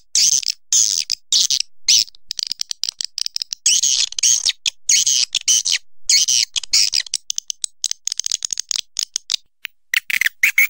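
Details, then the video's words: Swiftlet calls: dense, high, rapid chattering twitters in bursts, with sharp clicking pulses throughout and brief gaps of near silence. "Suara walet terbaik 2020"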